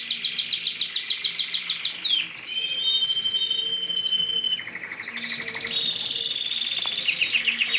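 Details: Mosaic canary song changing from rapid high trills to drawn-out whistled tones and buzzy stretches, then back to quick repeated notes, varied and continuous.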